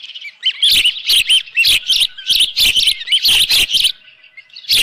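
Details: Osprey at a ranch nest on 24 June 2018 at 7:32 AM, holding a live fish. High, sharp whistled chirps come in rapid bursts, some rising and falling, with short gaps, then a final chirp after a brief pause.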